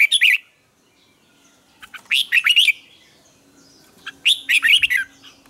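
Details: Red-whiskered bulbul singing morning training song with double twisted notes: three loud, bright, warbling phrases of quick rolling notes, about two seconds apart, separated by near silence and a faint low hum.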